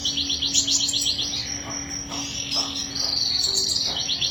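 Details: Fast high canary roll of pulsed notes about four per second, then a long sustained bright trill, with sporadic chips and a steady low hum underneath.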